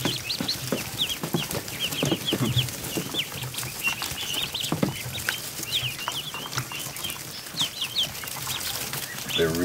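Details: Day-old ducklings seen up close in a barn, a crowd of them peeping constantly in high, short, thin notes, overlapping into a busy chorus with rustling and handling noise beneath.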